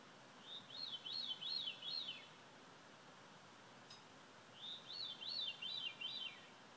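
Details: A veery at sunset gives two breezy, rolling phrases of looping whistled notes, each about two seconds long, over a soft steady hiss.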